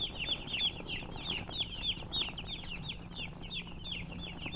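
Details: Loud, clear chirping from many baby chickens, bright downward-sweeping peeps tumbling over one another at a quick, fairly even pace.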